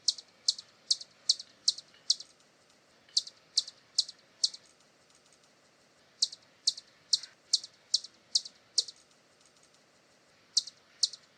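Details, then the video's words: Bursts of rapid, high, dry clicking chips from a hummingbird, several per second, delivered in separate runs with short silent gaps between them; background quiet. "som de beija flor-hummingbird sound"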